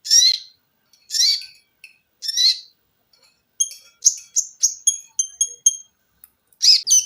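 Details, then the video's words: Olive-backed sunbird, training song for cage birds, giving three harsh, buzzy notes about a second apart, then a quick run of thin, high, piercing chips, finishing on another rasping buzz. "TERAPI KONIN GACOR FULL TEMBAKAN RAPAT!!!MESIN JAHIT,LENGKINGAN DAN BESETAN."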